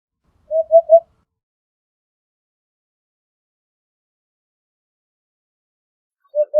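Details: Eurasian hoopoe song: a soft, low, hollow triple hoot, oop-oop-oop, followed by a long silence before the next phrase begins.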